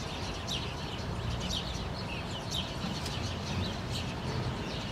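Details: House sparrows, several together in a rose bush in Helsinki, Finland, calling on an August 2013 morning: bright, quick chirps repeated about once a second, some overlapping, above a constant low hum.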